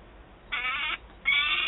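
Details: Peregrine falcon at Wałbrzych, Poland, on 27 August 2022; a well-fed young bird screams while an adult holds prey. Two harsh, rasping, strongly harmonic screams, the second louder and longer, with a short quiet gap between them.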